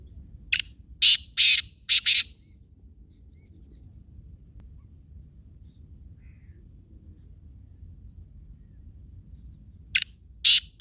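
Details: Black francolin calling in Khushab: a harsh, buzzy phrase of four loud broadband notes in quick succession, then about eight seconds of quiet rural background before the phrase starts again.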